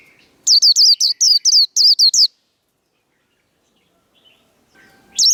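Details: Japanese white-eye, a cage bird, delivering the líu đấu fighting style: a fast string of about ten high, thin, falling whistled notes over two seconds, then silence and the start of another phrase.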